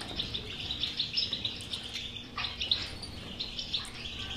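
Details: Caged European goldfinch song for stimulating a mute goldfinch: steady high twittering chatter with scattered sharp chirps and short trills, faint hum underneath.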